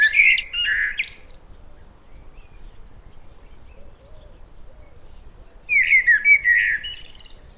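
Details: Common Blackbird, a Nordic bird whose males sing from rooftops in the breeding season: two mellow, fluted phrases breaking into high, scratchy twitters, with a quiet pause of about five seconds between them.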